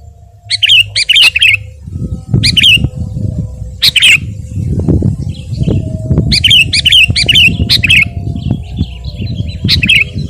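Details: Sooty-headed bulbul in full voice, played to train and stimulate caged birds: bright whistled phrases of two or three falling notes, given in clusters separated by pauses, over a persistent low rumble.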